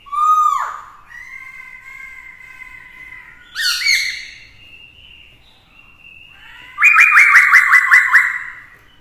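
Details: Male Black-throated laughingthrush in competitive song, caged with a female to stimulate him: a falling whistle, steady held tones, a harsh rising burst, then a long rapid trilled phrase of about ten quick pulses.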